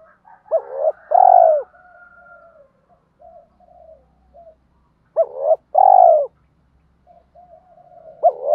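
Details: Spotted dove calling to lure wild doves in: two loud mellow cooing phrases, each a short hooked note followed by a longer steady coo, with softer fainter coos in between.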